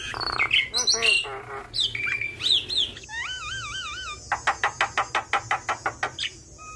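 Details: Javan myna in full voice, its song filled with borrowed phrases, used to tutor other mynas: harsh chattering and squawks, a run of quavering trilled whistles, then a regular series of about ten loud clicks.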